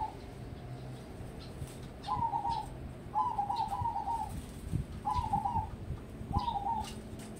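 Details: Contest-prospect zebra dove, a crossbreed, repeats four trilled, purring coo phrases in quick succession, some doubled, with faint high chirps from another bird and light background clatter.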